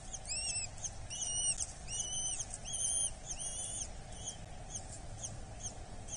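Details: At a Dorset nest on 8 July 2024, a Eurasian hobby chick is fed: a run of arched, whining squeals with bright overtones, repeated in quick bursts about twice a second, fading toward the end over a constant low hum.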